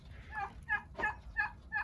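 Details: A broody turkey hen hisses at a person in harsh, nasal bursts about every third of a second, five in two seconds, over a faint low rumble.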